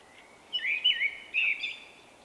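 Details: Shy male Common Blackbird with an unusual personal song, recorded in late March 2024; a short phrase of clear whistled notes, a low warble then two bright fluty swoops, over soft background hiss.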